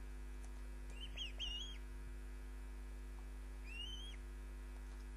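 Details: Osprey at the nest, live camera feed: two close, slurred whistled calls rising then flattening, a pause, then a third similar whistle, against a loud constant mains hum.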